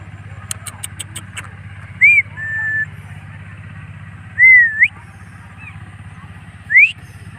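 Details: A pet blue Indian ringneck (rose-ringed parakeet), recorded during an evening walk, gives three clear whistles, rising and slurred, a couple of seconds apart, after a run of quick clicks, over a steady engine hum.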